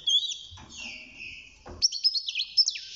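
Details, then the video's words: Six-month-old male European goldfinch singing inside its cage as it starts its song: a drawn-out buzzy note, a short break, then rapid high tinkling twitters. "الحسون بعد مرور ستة شهور أصبح يغرد"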